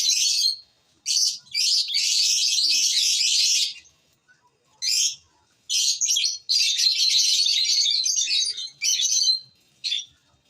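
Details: Lovebirds chirping: harsh, high, buzzy chatter in dense bursts of about a second or longer, separated by short silences, with quick sharp squeaks between them.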